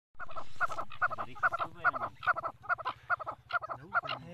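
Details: Partridges fighting in a village: loud, rhythmic, nasal, harmonic calls repeated more than twice a second in a steady chattering series, over a pulsing low hum.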